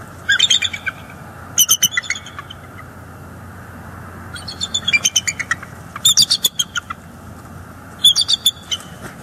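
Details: Bald eagle interaction at a northeast Florida nest in December 2022, as a juvenile is chased from the area: five bursts of shrill, rapid chattering notes, each about a second long, spaced one to two seconds apart.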